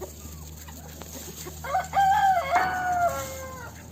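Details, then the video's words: Rooster crowing: after a few soft clucks, a loud harmonic crow begins with a short rising note, then holds a long, level, drawn-out tone and ends in a falling tail, lasting about a second and a half, over low steady hum. "Rooster crowing compilation plus Rooster crowing sound effect"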